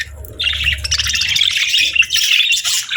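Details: Budgies chirping on a peaceful morning: after a brief quiet start, a dense, continuous flock chatter of high, scratchy warbles and quick chirps runs steadily, with a faint low hum underneath.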